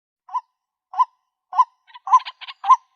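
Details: Female white-breasted waterhen calling for a mate: short nasal hooked notes repeated roughly every half second, with quicker stuttering notes joining near the end, in an otherwise quiet setting.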